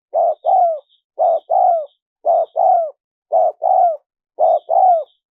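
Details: Spotted dove coos, played to attract wild doves: five evenly spaced paired phrases, a short coo then a longer downward-sliding coo, about one per second. Faint high chirps appear above them.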